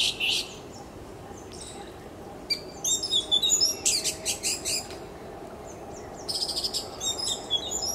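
An orange-headed thrush sings rich, varied phrases of high warbled and scratchy notes in quick bursts separated by short pauses, over a soft background hum.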